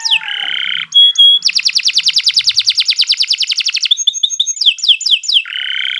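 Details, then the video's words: Canary with sharp, forceful delivery, used to tutor other birds. A buzzy sustained note and a few pure tones lead into a long, fast rolling trill. Quick chirps follow, then the buzzy note returns. "Kicau Burung Kenari II GACOR PANJANG Cocok untuk Masteran"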